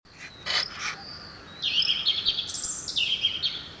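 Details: Unidentified songbird singing at dawn outside a window in the morning: a few short high chips, then bright whistled trill phrases stepping between high pitches, each about a second long; faint background hiss.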